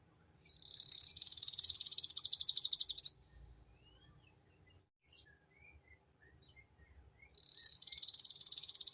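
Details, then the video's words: Ngeriwik-style canary lure song. A sustained, shimmering high trill of fast pulses for over two seconds, a pause with one brief note, then another long rolling trill begins. "Suara Pancingan Burung Kenari Ngeriwik"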